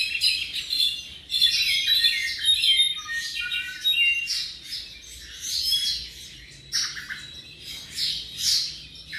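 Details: Tropical mockingbird, Mimus gilvus, about seven months old, singing a varied, continuous run of high chirps, whistles and harsh notes in changing phrases, with low steady background hum.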